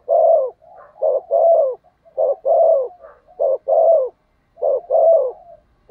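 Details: Spotted dove used as a decoy for wild doves, cooing rapidly: short note plus long rolling coo repeated about every 1.2 seconds, loud and clear with no other sounds.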